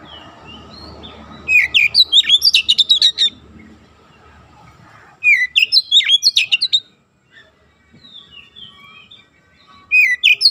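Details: Therapy recording of kacer (oriental magpie-robin) song to train an untrained young bird toward rapid, tight 'nembak' singing: three intense bursts of rapid chattering, swooping whistles a few seconds apart, with faint low background rumble between.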